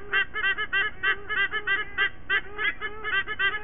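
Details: A pair of white-bellied sea eagles and their two chicks sing together at a nest in Sydney Olympic Park, Australia, one September morning in 2023. Quick, nasal, laughing honks fire in rapid bursts, several voices overlapping.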